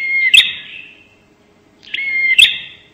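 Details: Two widely spaced bar-winged prinia 'nembak' calls for luring birds. Each is a thin, level whistle that breaks into a loud crackling click and a fading high buzz.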